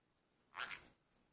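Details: Turquoise green-cheeked parakeet giving a single short, harsh squawk lasting under half a second, indoors with a quiet background.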